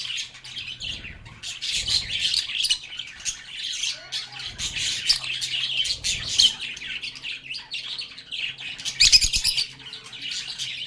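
Lovebirds chattering without pause: shrill, scratchy chirps and squeaks with sharper squawks near the end, with low thumps and knocks in between.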